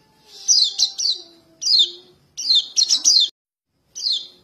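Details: Fledgling white-eye, known locally as kecial kuning or pleci, calling for its parents and used as a bird-trapping lure. Bursts of shrill, falling chirps come in clusters of two to three, over a faint low steady tone.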